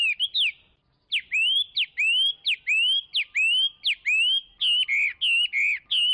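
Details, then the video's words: Chinese hwamei singing strong whistled notes: a short opening burst, a pause, then repeated rising slurred whistles, switching near the end to a lower wavering phrase repeated several times. "تغريد طائر الخوامي Chinese Hwamei"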